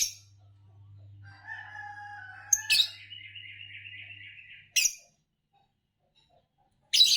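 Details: Fischer's lovebird mixing clearer whistled tones with a sustained wavering, buzzy trill, then sharp rasping chirps breaking through a low hum.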